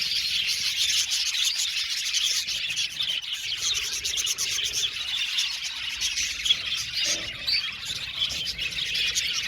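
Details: Captive budgerigar colony in an aviary, a constant mass of high, scratchy warbles and clipped chirps from many birds at once.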